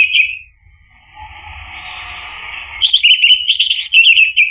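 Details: Orange-headed thrush voice in the ngeplong manner, intended to draw a reply from another bird. A short whistle is followed by a soft wash of sound, then a lively stream of fast, chirping, rolling notes.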